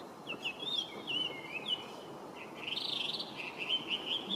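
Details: Song of a Chinese hwamei, a resident introduced species, recorded 23 November 2025: fainter looping whistles with downward slides, then a rolling warbled passage of bright clear notes, against a hissing background.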